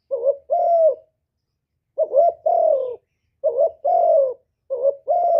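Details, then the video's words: Low cooing of a spotted dove in the hạp bổi voice, full song with calling, urging and cooing, recorded live with no background noise; four phrases of a quick wavering note followed by a drawn-out, gently falling coo, the last one cut off. "Cu Gáy Giọng Hạp Bổi ĐỦ BÀI (GỌI +THÚC + GÙ)"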